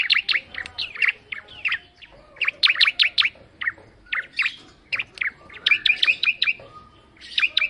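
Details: Bar-winged prinia song: rapid bursts of sharp high chirps and trills, notes sweeping near the upper range, phrases broken by short pauses, one after another.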